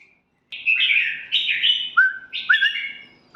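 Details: Caged red-whiskered bulbul singing three quick, rich warbling phrases. Each phrase ends in a lower, slurred whistle, with a short gap between phrases.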